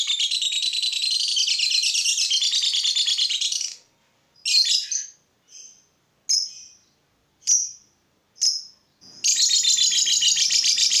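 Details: Lovebird song aimed at making other lovebirds sing: a long rapid chattering trill, a pause broken by several separate sharp chirps, then the fast buzzy chatter resumes.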